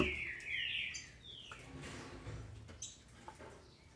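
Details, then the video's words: Female green-winged saltator kept by a licensed breeder in Brazil, singing to excite males: a few slurred whistled notes sliding down in the first second and a half, then fading against a noisy, rumbling background. "FÊMEA DE TRINCA FERRO para ENLOUQUECER seus trincas"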